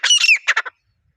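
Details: Wild grey francolin pair giving a pair bonding call in a natural setting: one short, loud, raspy phrase of a few harsh squealing notes lasting under a second, followed by silence.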